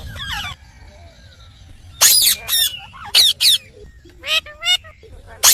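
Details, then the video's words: Talking parrot kept as a pet, giving separate loud harsh bursts with bright wavy harmonics, spaced by quieter gaps, plus an opening series of softer bending notes. "Smart & Cute Talking Parrot"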